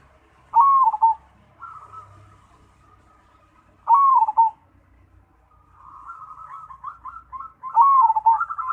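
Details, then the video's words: Zebra dove of the black Cemani variety singing: a soft, rolling trilled phrase ending in a louder, wavering coo, repeated about three times with quieter purring trills in between. "Perkutut Cemani Gacor"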